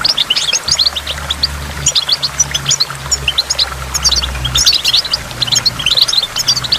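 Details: Near a waterfall, a goldfinch sings a continuous, bubbling high twitter of crisp chirps and trills, with a low droning hum running underneath for much of the time.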